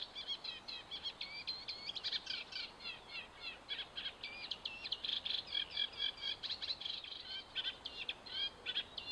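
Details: Eurasian reed warbler singing at Hammer Pond, Knepp Wildland: a fast, continuous chattering run of grating, repeated notes and short whistled slurs, high-pitched and steady throughout.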